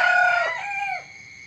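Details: Morning rooster crow caught near its end: a loud, harsh note that slides downward, then a shorter falling tail that fades out, with faint insect buzz behind.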